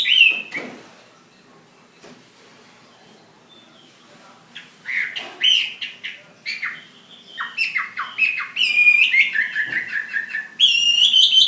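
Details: After a single call and a quiet stretch, a Chinese hwamei fighting bird from Hà Giang builds into loud, varied whistled phrases with rapid trills and bright slurred notes.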